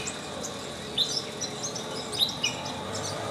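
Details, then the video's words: Long-tailed shrike singing and chirping: a handful of short, sharp high chirps and squeaky notes scattered irregularly over three seconds, some paired, over a steady high insect-like hiss. "Long-tailed Shrike chirping singing"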